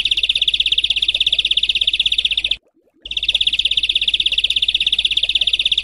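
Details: Bird training audio of harsh 'besetan kasar' song for pet and competition birds: one unbroken, fast, grating trill of rapid even pulses, cut by a half-second gap, then continuing the same way.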